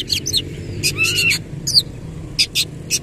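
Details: Kacer, or Oriental magpie-robin, singing with tail open in 'nembak ngerol' style: brief clusters of high clicking notes and a short rising whistle, followed by a few spaced sharp chips.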